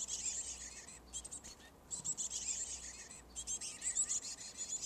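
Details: Black-capped chickadee nestlings, at least two, in a garage-mounted birdhouse give a dense, high, buzzy hissing chorus that swells in bursts as the parent pair brings food, with brief pauses between feedings.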